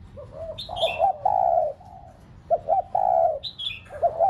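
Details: Cooing spotted dove kept as a decoy to prompt pet doves: low rolling coos, short stuttered notes then longer steady ones, with high twittering chirps from another bird twice.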